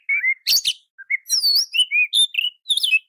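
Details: Oriental magpie-robin training song: sweet level whistles alternating with a harsh crackling burst and a swooping downslurred note, in short spaced phrases.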